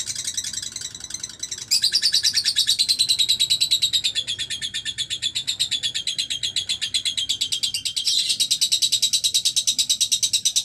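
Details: Lovebird singing single gestang: an extended high, buzzy ratcheting trill of rapid repeated notes, strengthening after a softer opening and continuing without break.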